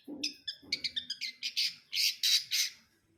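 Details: A long-tailed shrike, or cendet brundol, produces a fast stutter of sharp, buzzy chips that run together, ending in three louder, longer harsh rasps before falling silent.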